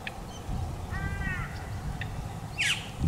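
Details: A feeding rainbow lorikeet in Australia gives a nasal, slightly wavering call, then a harsh, shrill screech a moment later, over steady low rumbling background noise.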